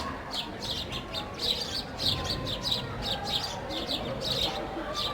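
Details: Sparrows playing around a loaf of bread, chirping about twice a second in an uneven, lively series of high, sharp notes over a soft rumble.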